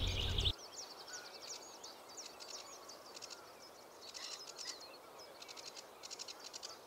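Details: A Sedge Warbler in a Dutch reedbed in spring gives its busy, chattering song of varied scratchy notes, quick trills and repeated bursts, run together without pause. A brief loud noise comes at the start.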